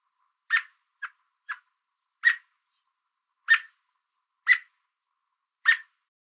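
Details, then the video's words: An American robin on a fence in the Niagara area of Ontario calls out as a warning to stay away. Abrupt chirps come in a run of seven, with two quick softer notes early on, spaced about a second apart in a silent background. "American Robin Chirping Sound"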